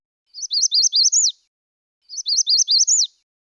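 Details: A Magnolia Warbler sings a short, high "weeda-weeda-weeda" phrase twice. Each phrase rises higher and louder, then drops quickly at the end.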